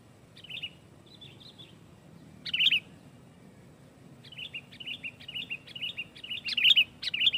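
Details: Sooty-headed bulbul in loud, dense song meant to pressure rivals and set other bulbuls singing; short bubbly chirped phrases, a few at first, then a quickening run of repeated notes rising in loudness toward the end.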